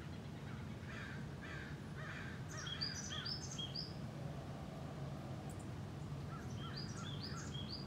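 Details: A small grey bird of California oak country sings bright, short whistled notes, grouped in quick rising-and-falling phrases around the middle and again near the end, over a steady low rumble of background noise.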